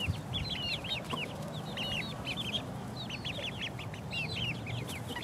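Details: Four-week-old chicks pecking around, many high peeping chirps with downward-curving notes overlapping in dense clusters over a low steady hum.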